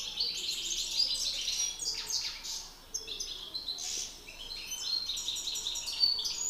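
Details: Singing duel of male European goldfinches, a master against an excited bird: lively twittered phrases, metallic chirps and rattling trills, with a brief lull midway.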